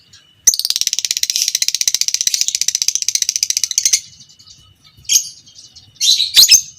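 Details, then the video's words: Lovebird fighter of the biola pb creamino type giving its prized long chatter, used to train other lovebirds: an unbroken rapid rattle of shrill notes lasting about three and a half seconds, followed by a few sharp squeaky calls. "Masteran Burung Lovebird Fighter Ngekek panjang - Suara Burung lovebird biola pb creamino"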